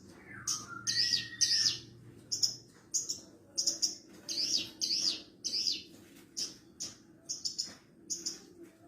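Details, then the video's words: Javan bush lark, branjangan parva, singing as a tutor for other larks, including young birds: rhythmic buzzy, high trilled notes repeated nearly twice a second, with a low steady hum beneath early on. "MASTERAN BURUNG BRANJANGAN PARVA"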